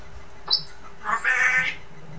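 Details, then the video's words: Pet parrot with a Geordie accent talking, calling the dog names: a brief squeak, then a short run of throaty, speech-like syllables over steady room hiss. "geordie parrot"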